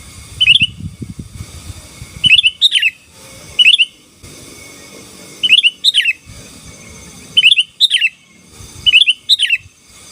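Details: Chatty gacor song of a sooty-headed bulbul meant to press down rivals: bright bubbling two-part phrases recurring roughly every one to two seconds across ten seconds, with low rumbling noise early on.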